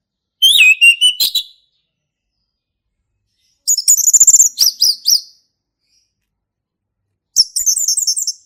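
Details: Male orange-headed thrush singing in the forest in the loud ngeplong style: three bursts of high, sliding whistles and quick twittering notes, each about a second long and separated by silent pauses of two to three seconds.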